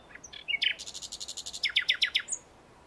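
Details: Common nightingale song: a few thin introductory notes, then a rapid, even run of bright metallic pulses and a second faster rattling burst of lower, rich notes, ending in a high whistle.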